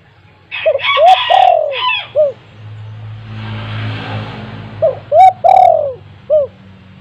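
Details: A home spotted dove's calling, meant to make mute doves start calling: two low cooing phrases separated by a rushing noise, with high chirps from another bird during the first phrase.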